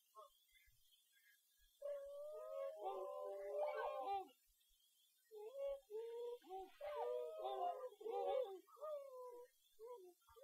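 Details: Tundra swans, a flock resting on a lake in NW Wisconsin, give mellow, hooting, slightly nasal whistling calls that overlap in two busy bursts, with brief quiet gaps between them.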